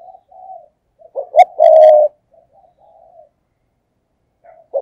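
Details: Spotted dove cooing, used as a lure to attract wild doves: soft low hooting notes, then a short stutter and a louder, drawn-out coo, with faint quiet coos between.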